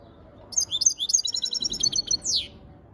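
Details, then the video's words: European goldfinch delivering a sustained run of rapid, sparkling chirps and twittering notes, closing with a sharp downward buzzy slur; the phrase flows continuously for about two seconds. "اجمل تغريد حسون"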